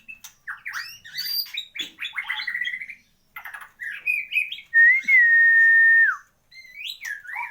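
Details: Caged white-rumped shama, a prized songbird described with a full repertoire of mimicked phrases; quick varied chirps and rattling notes, then a loud sustained level whistle over a second long, ending in brief twitters.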